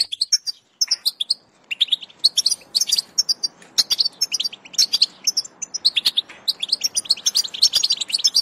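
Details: European goldfinch song played to stimulate a goldfinch to sing: rapid, bright twittering of high chirps and short trills, in bursts separated by brief pauses.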